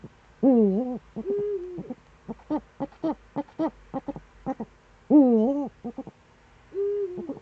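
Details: Eifel, Germany, September 2013 morning: a Eurasian eagle-owl gives two strong harmonic wails that sag then rise, each followed by a level, held tone. Rhythmic short taps fill the gaps between them.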